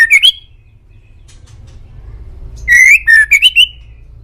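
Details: Indonesian male white-rumped shama song, played as master material to prompt caged birds to reply. A short rising whistle opens. After a quiet gap comes a bright run of slurred whistles, each stepping higher, over low steady hum.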